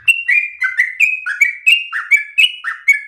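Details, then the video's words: A yellow-vented bulbul sings a loud, continuous, insistent long-breathed stream of bubbly, chattering whistled phrases, about three notes per second, with no other sounds. "Trucukan gacor ropel ngotot nafas panjang ini cengkok paling gampang ditiru"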